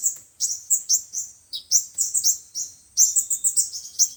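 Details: Five-colour and seven-colour sunbirds singing, a recording used for speaker lures when trapping birds: steady series of high piercing chirps about four per second, becoming a quicker tinkling run near the end.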